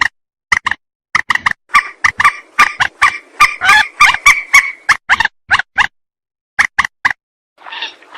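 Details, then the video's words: Rail call used to lure birds into traps, a fast, irregular run of harsh, honking clucks that builds into a dense chatter, then pauses before a softer final note. "Suara pikat burung mandar"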